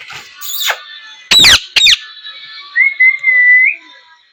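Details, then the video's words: Parrot calling loudly: a faint harsh note, then two short, very harsh broadband screeches, followed by a long, steady, clear whistle held at one pitch for about a second. "Loud Parrot Noise #3 | Natural Parrot Sounds | Parrot Calling Sounds"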